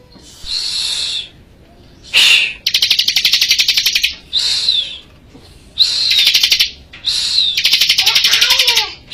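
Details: Bar-winged prinia in Majalengka, singing vigorously as tutor material: high, drawn-out whistles with falling tails alternate with stuttering, buzzy rattling trills, the pattern repeating several times in quick succession.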